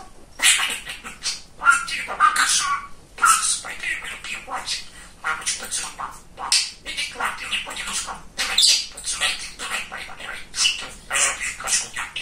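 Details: Talkative pet male budgerigar babbling a long run of rapid, thin, speech-like syllables, continuous chatter with brief breaks over about twelve seconds.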